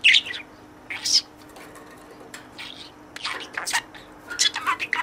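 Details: Caged budgerigar talking to its toy companion with learned words: loud squeaky notes at first, then a run of high, rapid, word-like chatter and clicks toward the end.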